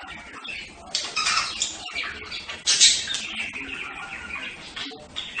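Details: Budgerigar producing rough, grating chatter with a loud harsh squawk in the middle, followed by quieter scratchy twittering.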